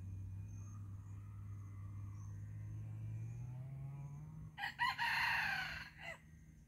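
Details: Early-season red junglefowl crowing with great vigour: a loud, harsh, broken crow bursts out after about four and a half seconds of quiet, over a steady low hum.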